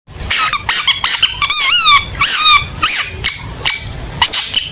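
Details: Long-tailed shrike in full, lively song meant as contest training material, delivering loud, high, harmonic-rich notes: sharp chips, rapid trills and wavering slurred whistles in quick bursts separated by short pauses, with a faint low rumble behind.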